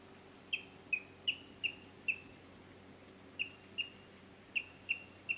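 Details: Yellow-billed kingfisher giving a run of sharp, downward-sliding notes, spaced roughly every half second, pausing briefly, then resuming for five more notes; a faint steady hum underneath.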